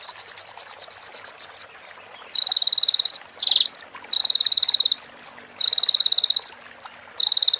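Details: ['Sunbird song for training other birds, mixed with prinia-like phrases: a fast ticking trill opens, then a series of dense buzzy bursts alternating with short rising chips.']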